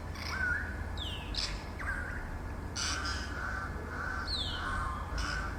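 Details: Grey Parrots, possibly escapees, in the city of Accra, Ghana: falling whistles and brief rough squawks scattered irregularly, set against a constant low rumble of urban background noise.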